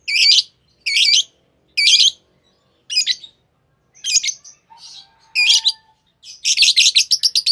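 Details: A pair of green Fischer's lovebirds gives sharp, raspy double chirps at roughly one-second intervals. The chirps speed into a fast chattering run of clipped notes at the end, and a faint low whistle is heard midway.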